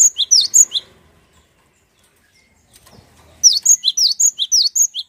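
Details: Lure song of a cinereous tit intended to make other birds sing: a short phrase of high notes, a pause with faint low sounds, then a brisk series of about nine bright notes alternating high and low.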